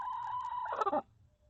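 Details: Chicken inside a coop where a hen is laying an egg; a single nasal, level call holding one pitch, then breaking into a harsh, choppy ending before stopping abruptly.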